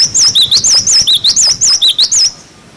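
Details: Cinereous tit tutor song for young birds, 'wucit wucit' type: a fast string of about twelve high, up-and-down whistled notes, steady and clean, fading into quiet at the end.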